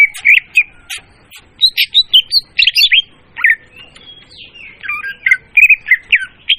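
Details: Loud, clear leafbird song used to lure birds for trapping: a rich medley of sharp whistles, rapid chips and warbled slurs, changing phrase after phrase with short gaps, ending in repeated clipped whistles.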